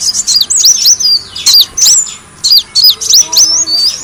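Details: Recording of Van Hasselt's sunbird played to lure birds: separate high, sharp chirps and short slurred whistles, about one per second, with small silences between groups.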